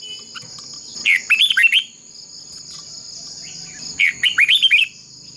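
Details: Contest song of a decoy red-whiskered bulbul for training other birds: two bubbling phrases of rapid, rising-falling whistled notes, about three seconds apart, over a constant high whine.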